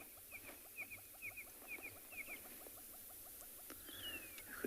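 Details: A hornbill in the background at Tswalu Kalahari Reserve, South Africa, on a sunrise drive on 1 November, in early summer: low, hollow clucking notes repeating about twice a second, under sharper paired chirps from another bird and a brief descending whistle.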